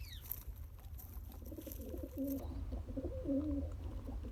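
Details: Newborn pigeon, a day old, during feeding by its father (pumping); a burst of quavering, slightly nasal tonal notes in the second half, with a constant low rumble behind.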